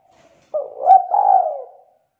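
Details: Young wild-caught spotted dove singing in the loud, thick-voiced 'kuk 2' style: a single low, rolling coo lasting over a second, rising in volume with a brief break before a sustained mellow ending, against a silent background.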